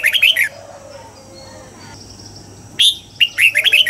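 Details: Red-whiskered bulbul in dawn singing practice, with a rapid falling warble, a long quiet pause holding faint thin whistles, then a sharp note and another lively descending phrase.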